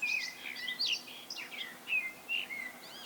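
Common blackbird song: quick, fluty phrases sliding up and down, broken by thin, high twittering notes, over a quiet outdoor background.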